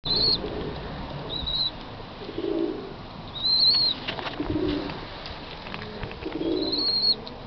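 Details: Blind, newly hatched İzmir (Oriental) roller pigeon chicks give thin, high peeping whistles in short bursts every couple of seconds, over soft low rustling and a wing flutter.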